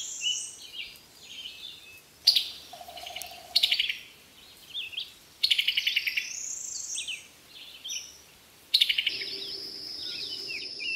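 Brazilian tanager giving bursts of high, chattering, twittered phrases every two to three seconds, over a steady background hiss and a faint low hum.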